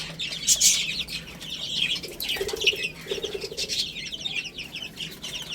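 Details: Baby chickens feeding and playing: high, thin peeping from many chicks, plus a pair of short, lower buzzy notes in the middle, over a soft background hum.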